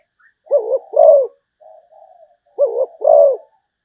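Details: A Malaysian zebra dove gives a soft low coo pair, then faint quiet murmurs, then another paired phrase of a short burbled note and a longer mellow coo.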